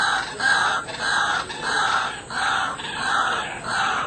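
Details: White-breasted Waterhen heard daily in Kuala Lumpur, Malaysia: strong, croaking calls in steady rhythmic bursts, about five within four seconds, loud and close over a faint urban background.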